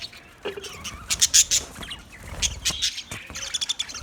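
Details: Green budgerigars give sharp squawks and quick scratchy chirps, loudest in a burst early on, then steady chattering.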